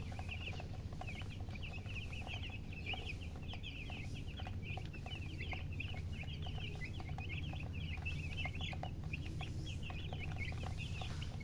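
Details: Baby chicks peeping in a busy flock: rapid, high, whistled chirps from several birds, about two per second and overlapping, over a steady low rumble with faint clicks.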